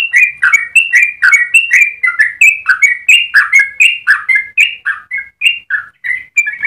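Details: Yellow-vented bulbul singing a long, unbroken melodic song for tutoring other birds, a fast chain of bright whistled notes that rise and fall without pause for nearly seven seconds.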